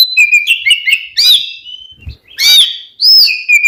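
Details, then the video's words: An Oriental magpie-robin sings to stir rival birds to answer, giving long steady whistles and warbled notes broken by a brief gap, then a loud rising phrase and a falling whistle. "SUARA BURUNG KACER KEMBAR, bikin lawan EMOSI ikutan nyaut"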